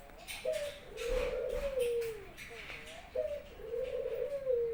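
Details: Barbary dove kept at home in Indonesia coos eagerly on its owner's return from work. Two long, rolling, downward-tapering coos, each begun with a short sharp note, over a background of household noise.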